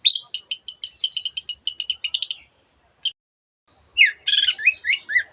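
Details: Long-tailed shrike (cendet) in a varied, mimicry-rich song serving as a master recording for reluctant singers: a fast run of evenly spaced clicking chips, a pause and a single note, then a harsh, squawking burst of rough notes.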